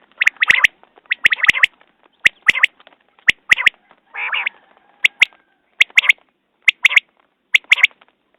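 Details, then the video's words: Common quail calling steadily: clicky three-syllable phrases spaced under a second apart. A brief buzzy rasp breaks the series midway. "Batair Ki Awaz New Quail sounds 2019"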